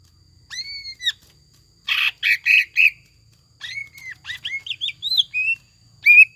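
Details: Greater green leafbird lure song in the gacor, jamtrok and ngekek style, with imitated tengkek buto phrases: arching whistled notes, then a burst of harsh chattering notes and rising slurred whistles after a short pause.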